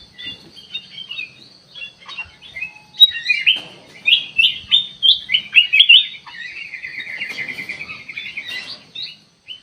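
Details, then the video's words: Kutilang emas song used as a lure to get a direct response: scattered soft chirps, then a strong run of rhythmic up-slurred notes and a fast trilled stretch, ending in sharp chirps. "burung kutilang emas buat pemikat langsung respon"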